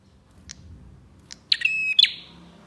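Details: Prenjak, bar-winged prinia, singing as a lure for other prinias: two faint high ticks, then one loud phrase of a sharp chip, a buzzy rattle over a level high tone, closed by a bright burst; low rumble beneath.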